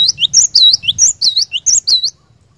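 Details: Cinereous tit lure song for a caged bird: a continuous run of bright, high, dipping whistles alternating with quick lower slurs, roughly nine notes in two seconds, ending abruptly into quiet.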